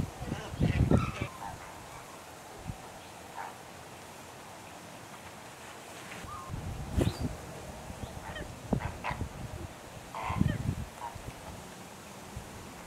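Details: Greater flamingos visiting Rondevlei near Wilderness on the Garden Route give scattered goose-like honks and short nasal calls at irregular intervals, mixed with low thumping and rustling noises.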